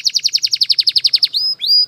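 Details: Canary training song, Spanish Timbrado style mentioned: a rapid, evenly spaced trill of about fifteen short descending notes in just over a second, followed by two sustained, rising whistled tones.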